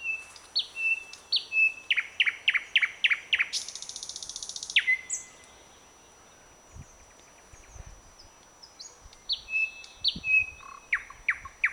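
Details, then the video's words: A Thrush Nightingale sings on 21 May 2009 from the branches of a blooming bird cherry: loud varied phrases of high whistles, a quick run of about seven sharp down-slurred notes, a harsh dry rattle, then more clear whistled notes. "Satakieli laulaa Nightingale is singing"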